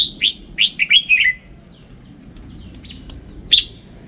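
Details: Red-whiskered bulbul giving a rapid, cheerful phrase of whistled chirps that fall in pitch, followed by a pause and one loud sharp note, with a soft low hum underneath.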